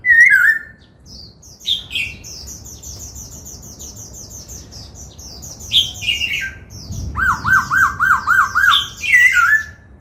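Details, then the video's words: A laughingthrush being trained in the 'bắt cô trói cột' song style sings slurred whistles and high chattering notes, then a rapid run of about six rising-and-falling whistled loops, ending with descending slurs. "Khướu hót múa, Luyện Khướu hót giọng bắt cô trói cột, Tiếng chim Khướu hót"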